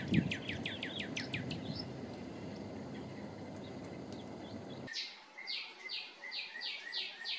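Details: Male northern cardinal in a tree near a house, singing for territory or to court; a quick run of clear downslurred whistles, a pause filled with low background rumble, then another series of slurred notes.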